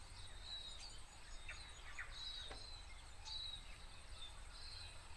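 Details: Thin, high whistled notes from a tomtit (miromiro) in late autumn in New Zealand, given in short bursts every second or so, over a steady insect-like hiss and low rumble.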